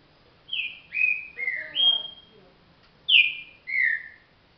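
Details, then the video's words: Green-winged saltator, a trinca-ferro said to turn up to thirty songs though still slow, singing a rich whistled phrase of four gliding notes, a pause, then two more loud whistles, clean and dominant over a quiet background. "trinca virador"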